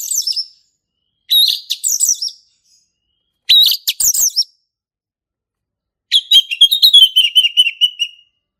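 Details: Male orange-headed thrush, its song played as a lure for young birds learning 'ngeplong': four separate phrases of clear whistles and fast twittering, the last a long descending trill of rapid notes.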